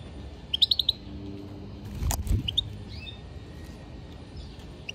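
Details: European goldfinch giving one quick twittering burst of about five bright chirps, followed by a sharp clattering knock and a few soft scattered notes and whistles.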